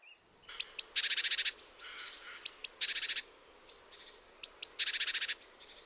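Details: A nervous great tit gives sharp, fast rhythmic whistles, then a dry crackling like a machine-gun burst, resembling a magpie. The pattern repeats three times in about six seconds, with no other sounds.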